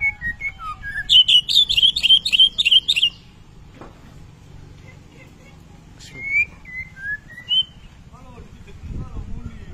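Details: White-rumped shama, a lively singer in a training recording meant to spur birds to sing in the rattling kretetan style: slurred whistles, then a fast buzzy trill of repeated high notes, later a few separate falling whistles over low background hum.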